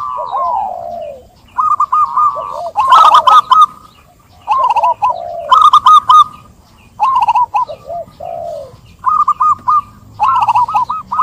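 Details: Zebra dove song meant to stir a dove that will not sing. Repeated bursts of stuttering, rolling coos alternate with short gaps throughout, with a brief flutter-like noise near the start.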